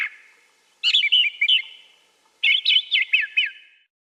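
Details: Brown thrasher (Toxostoma rufum), song.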